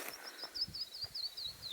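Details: At an abandoned mine in the Nevada desert, a Canyon Wren gives a rapid run of about ten clear, high whistled notes stepping slowly downward in pitch, over faint background rustling.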